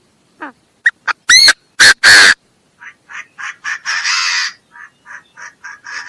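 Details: Chinese francolin: scattered sharp notes build to three loud, harsh blasts, followed by a rapid series of shorter rasping notes and one drawn-out grating note.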